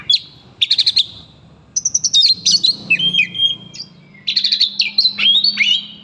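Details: Provoked by its name, an oriental magpie-robin gives stuttering bursts of rapid notes, high whistles and downslurred phrases, separated by short silences, over a faint low hum.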